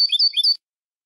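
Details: European goldfinch song for tutoring young goldfinches: a loud half-second run of sharp tinkling notes, a steady high tone woven with quick lower twitters, then silence.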